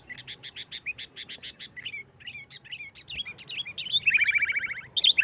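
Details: Sooty-headed bulbul singing in 'nggaruda tarung' fashion to draw other bulbuls into song; a rapid string of short, evenly spaced chirps gives way to varied whistles and a loud bubbling descending phrase.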